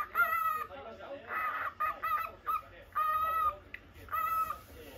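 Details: Pet lutino cockatiel indoors during a live stream, giving flat, harmonic-rich calls in short bursts of about half a second, repeated several times with brief gaps; faint room noise underneath.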